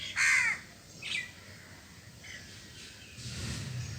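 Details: Crow calling while eating cooked food and grains: a loud harsh caw opens, followed by a shorter caw near one second and fainter caws later, over low background rumble.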